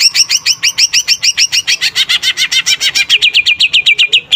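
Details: Continuous greater green leafbird song of fast repeated chirps, about five per second. The notes start high and forked, then drift into lower downward-slurred notes toward the end.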